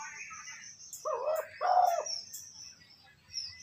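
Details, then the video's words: Spotted dove cooing used to provoke decoy birds: a single hoarse two-note coo phrase mid-clip, with thin chirps and light clicks from other birds. "Tiếng cu gáy kích bổi nhanh nổi"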